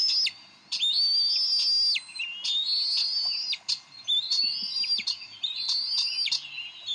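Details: Bald Eagle parents at the Decorah nest, 30 May 2012, in a quarrel over a fish. Drawn-out, high whistles slide downward, interspersed with sharp clicking notes in uneven, repeated phrases.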